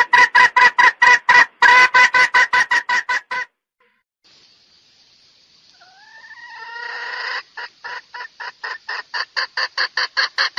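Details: Red junglefowl calls used to lure and trap males: a fast run of harsh clucks, then a pause and a rising hiss with drawn-out whining notes, before the rapid clucking series resumes.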